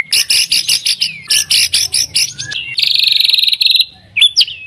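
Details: White-rumped shama song used as a lure to make other shamas sing: a chain of hard double chips, a steady rapid high buzzing trill, then a couple of thin rising whistles.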